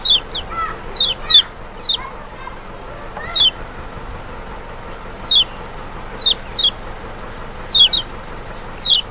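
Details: Provocation song of the Lemon-bellied white-eye, the large Kecial of Lombok or Sumbawa: high, steeply falling whistled notes in loose pairs, with fainter lower chirps early on, over a continuous low hiss.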